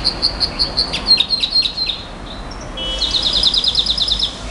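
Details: Nightingale singing in the style locally named 'bouh gnaoui goubaa': fast trills of sharp, high repeated notes about eight per second, then a short pause and a second bright rattling trill, over faint background hiss.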